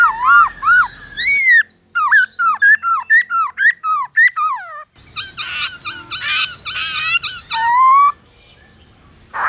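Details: Black-throated laughingthrush singing in its forest-style voice, played to stimulate and train captive birds: loud, rich whistled notes sliding up and down, quick bursts of short slurred phrases, then harsher ringing notes and a final rising whistle.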